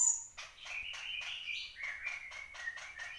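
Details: Horsfield's babbler singing actively: a quick run of short, evenly spaced notes, about six per second, holding a steady mid-high tone that steps slightly lower halfway through, over faint background noise.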